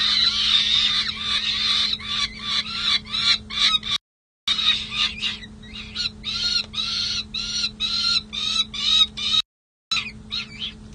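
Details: Young peregrine falcons, sisters at the San Jose City Hall nest box on 27 May 2024, spending the night outside the box; nest camera. Harsh, grating calls in irregular choppy bursts, roughly three a second, over a steady electrical hum.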